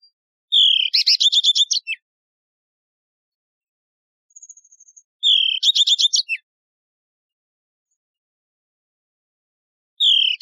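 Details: Yellow-fronted canary repeating one song phrase every few seconds: a rising whistle that leads into a fast, buzzy rattle of high notes, with a faint soft trill in between and silence otherwise.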